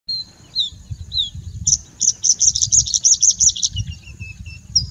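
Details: Singing bushlark: thin high whistled notes at the start, then a rapid run of about a dozen sharp chirps, followed by a few soft descending whistles over a steady high hiss and low rumble.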